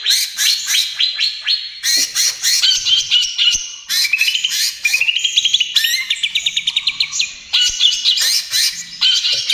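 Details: Greater green leafbird, young trotol stage, singing hard in bursts for use as a lure and therapy: sharp chattering phrases alternate with rapid rising trills and evenly spaced repeated notes, each phrase separated by short gaps.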